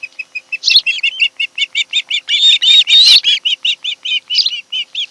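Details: Osprey pair at their Kent Island, Maryland nest on a July afternoon; rapid, excited high whistled chirps, several per second, swelling into a longer shrill squealing passage before resuming the quick chirping.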